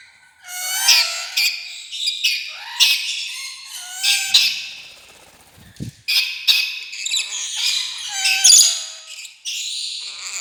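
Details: Rainbow lorikeet chattering almost nonstop, rapid shrill squawks and raspy trills tumbling over one another, with a brief low knock in a short lull.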